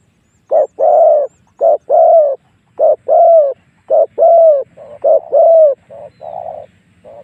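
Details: Spotted dove cooing, played as a lure so wild doves come to fight. A quick run of paired coos, short then longer and gently falling, about one phrase per second, with quieter coos behind.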